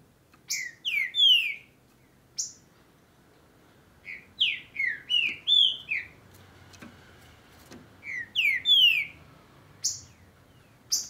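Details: Green-winged saltator in Brazil, singing at the start of the breeding and tournament season, giving loud, rich whistled phrases of slurred notes, three bursts a few seconds apart, with a quiet background.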